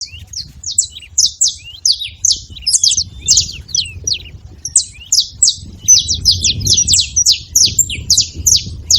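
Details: Free-living wild saffron finches at a feeding spot, several birds together making a steady chatter of sharp, high, downslurred chirps packed closely, with a brief lull near the middle, over a low background rumble.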